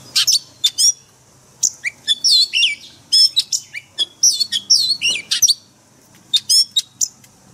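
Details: Wild forest-style song of an oriental magpie-robin, used to train caged birds every day: dense runs of sharp, bright chirps and rising-falling slurred whistles, with a brief lull near the end.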